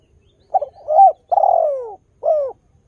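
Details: Spotted dove cooing in a recording used to coax wild doves into calling: a soft two-part opening followed by a long drawn-out descending coo and a shorter falling coo, clean and unaccompanied.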